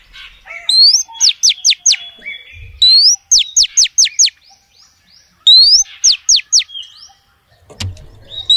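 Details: Female oriental magpie-robin calling to males: clear repeated phrases, each a rising whistled upslur followed by four or five sharp, loud descending whistled strokes, repeated three times with brief pauses, with a low thud near the end.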